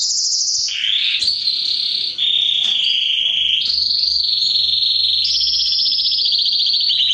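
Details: Song of a mosaic canary, used to stimulate mating and teach chicks: long rolling trills shifting between pitch levels, each tour held for one to two seconds.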